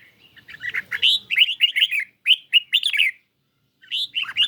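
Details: Red-whiskered bulbul in a cage, competing vocally against a phone recording: a rapid series of clear, bubbly whistled notes, about a dozen in quick succession, a pause, then a few more warbles.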